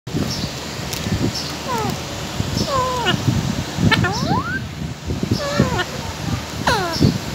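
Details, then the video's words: Pet parrot calling while eating, with repeated downward-sliding whistled notes and hooked squawks over steady crunching and rustling. "mittu eating and talking"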